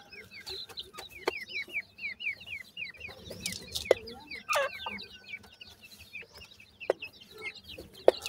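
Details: Teetar (francolin) chicks feeding: rapid rows of high, falling peeps, several in a second, mixed with sharp clicks and taps and a faint steady hum.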